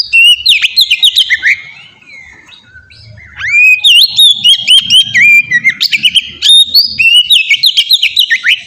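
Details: Ngeplong-style song of an Oriental magpie-robin, played as a lure to get other magpie-robins singing: rapid sweet whistles and slurred notes, a brief quieter gap, then a fast run of repeated bright phrases over a faint low hum.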